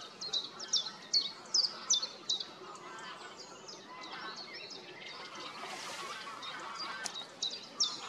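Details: White-tailed eagle giving a series of sharp, high yelping notes in quick bursts with a quieter pause midway, over steady background noise; recorded 23 March 2024 at Brzezia Łąka, Lower Silesia, Poland.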